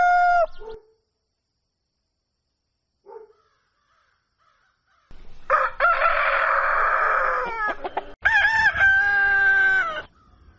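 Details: Dawn crowing by a rooster: a brief crow tail, quiet gap, then a rough harsh crow around three seconds long and a second clearer, ringing crow right after.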